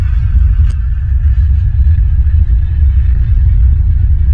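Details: Loud, steady low rumble fills the recording, with one brief faint click and no animal calls.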